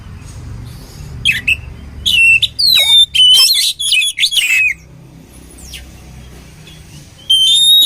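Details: Oriental magpie-robin song used for training birds: clear falling and rising whistles mixed with harsh notes for about three seconds, a pause, then one more high whistle.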